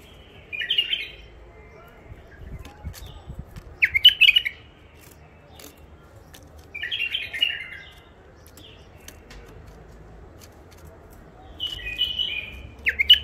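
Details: Old wild-caught bulbul from the Mandali region, kept in first isolation, repeats short, rich warbling phrases about every three to four seconds. Four bursts are heard, and the spaces between them are quiet.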